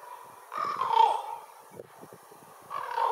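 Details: Raven giving loud, raspy croaks: one long grating call that swells and fades, then a short pause before a second harsh call begins, with faint background noise between.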